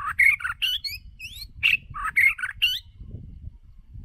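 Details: White-rumped shama decoy bird in full song for voice training, loud varied whistled and warbled phrases with rising slurs packed into under three seconds, then it falls quiet over a low rumbling background noise.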